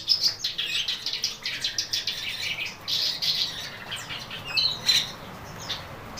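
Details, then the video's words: Black-browed babbler singing: a rapid run of loud, harsh, squawky high notes, several per second, some with clear whistled tones, over steady background hiss. "Burung Kerakbasi Alis Hitam Gacor"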